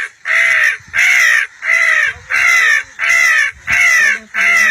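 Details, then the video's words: Crow calling with a series of seven loud, harsh caws, evenly spaced at roughly one every two-thirds of a second, each caw a short, slightly falling nasal note, with near silence between them. "KING of CROWs آواز پے کوے بھی حاضر"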